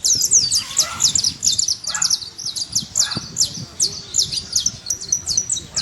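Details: Saffron finch singing free in nature: a rapid, continuous series of high, sharp chirping notes, roughly two to three per second, over a faint low rumble of background noise.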